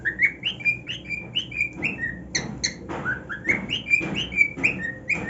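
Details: Pet cockatiel singing happily on his new nest, a string of bright warbled whistles, many rising then levelling off, repeated a little over twice a second, with soft low household rumble beneath.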